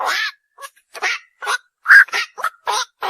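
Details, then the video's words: Dense, grating squawks of night herons, back-to-back short harsh notes, one sharper nasal call near the middle. "বাকচু পাখির ডাক / অক পাখির ডাক / বাকচো পাখির সেরা ডাক / Bukcu pakir duk/ Night Hiron Bird call"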